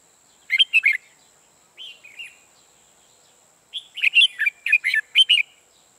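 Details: Decoy red-whiskered bulbul used in trapping gives short bursts of sharp chattering whistles, a pause, a brief slurred note, then a longer run of six or seven loud warbled notes; a constant thin high hum persists.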